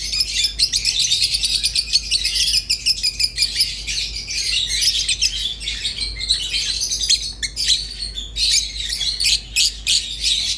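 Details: Rosy-faced and Fischer's lovebirds chatter continuously for ten seconds in rapid, high, scratchy warbling with clipped squeaks and clicks.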